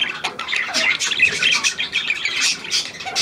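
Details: A hand-tame Australian pied budgerigar, newly acquired, twitters in a busy, high-pitched warble of rasping notes and small whistles, without a break.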